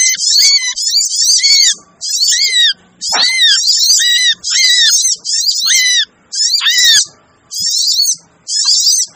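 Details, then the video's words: Sogon lure call intended to bring down wary birds: rhythmic bursts of high, scratchy twitters and arched whistles, close to one per second, separated by clean short pauses. "suara pikat burung sogon ribut! cocok buat sogon yg susah di pikat"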